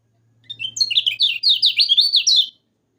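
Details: Training song of a yellow-vented bulbul for birds that are lazy to sing: a fast gurgling phrase of rolling high notes, about two seconds long, over a faint low hum.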